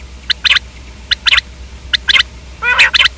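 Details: Common quail, known locally as batair, giving three quick clipped phrases of sharp notes and ending with a harsher, buzzy nasal burst, over a low steady hum.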